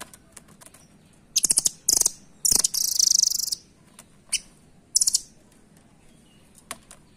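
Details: Rambatan, the velvet-fronted nuthatch, uttering a series of shrill rattling trills, several quick bursts then one sustained buzzing chatter, followed by scattered faint ticks.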